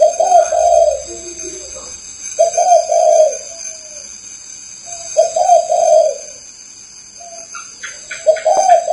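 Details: Spotted dove cooing: low mellow phrases of several soft notes, each phrase about three seconds apart, over a steady high-pitched electrical hum, with a few short chirps near the end.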